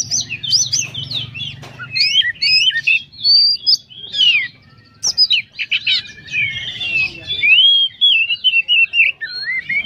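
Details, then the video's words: Caged Oriental magpie-robin, a contest bird from Inhu and Kuansing, Indonesia, singing a dense 'gacor full isian' song: rapid high whistles, slurred sweeps and chattering notes in tight bursts, with a low hum underneath early on. "Kacer Gacor full isian"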